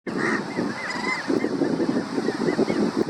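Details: Crab-plover (Dromas ardeola) calling: many overlapping short, nasal, chevron-shaped notes over a steady low rumbling background noise.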